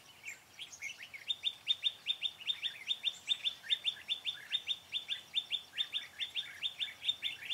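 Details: Decoy red-whiskered bulbul singing to lure and fight wild birds during trapping, 4 February 2017: loud rapid series of sharp, downward-slurred chirps, about two or three per second, keeping a steady, insistent rhythm throughout.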